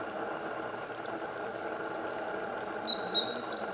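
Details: Singing wren in Japan, photographed 8 May 2014 in morning sunshine: a continuous stream of very high, sharp, rapidly warbled notes and trills that rise and fall, over faint steady background hum.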